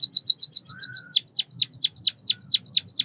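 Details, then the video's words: White-headed munia, Lonchura maja, of Southeast Asia: a fast run of short high chirps, then a steady series of sharp downward-sweeping notes about four per second, with a faint low hum beneath. "Bird chirping sounds | white headed munia"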